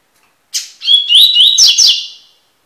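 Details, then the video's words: Double-collared seedeater (Sporophila caerulescens) singing a tui-tui style phrase for song tutoring: a short high note, then clear whistled slurs rising and falling, ending in a dense buzzy trill, about two seconds, quiet background. "coleiro tui tui cantando (encarte) (Sporophila Caerulescens)"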